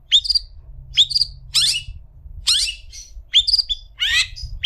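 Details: Long-tailed shrike song as tutoring material for other shrikes: sharp upslurred whistled notes alternating with harsh descending scratchy bursts, in irregular pairs, quiet low hum throughout.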